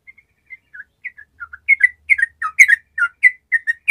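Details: Sooty-headed bulbul in full gacor song, used to provoke lazy bulbuls into singing: soft scattered whistled notes build into a lively run of bubbly, slurred two-note phrases, rising and falling, with no other sounds.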